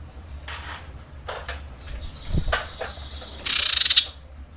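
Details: Female common iora in breeding condition calling to males, ending in a loud, pulsed, buzzy rattle about half a second long. Soft clicks and faint rustling come before it.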